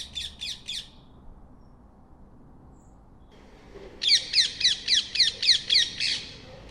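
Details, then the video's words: A short triple screech from a rose-ringed parakeet, a pause of about three seconds, then a louder rapid series of eight harsh, rasping notes. "Call of Rose ringed parakeet"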